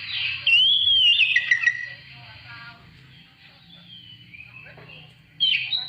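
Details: Lure song of an Oriental magpie-robin meant to set other birds singing: a bright whistled flourish in the first two seconds, a long hush with faint distant notes, then a sudden loud whistled phrase at the end.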